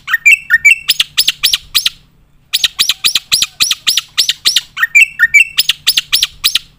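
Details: Black-winged myna singing loudly and continuously as a tutor recording for competition birds. Whistled upward-sweeping notes lead into rapid bursts of sharp, loud, repeated chattering notes. Phrases come in runs with a short pause, against a quiet background.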